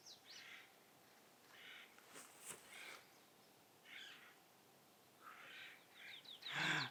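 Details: Jays at about 7,000 feet in the Gila National Forest give harsh, raspy calls in short bursts every second or so, loud, with the loudest, buzziest call at the end; faint thin bird notes in the background.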